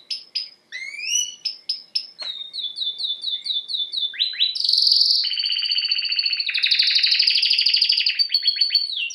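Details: Canary singing, recorded for training: spaced sharp upswept notes at first, a run of repeated chirps, then a loud continuous buzzing trill that carries to the end.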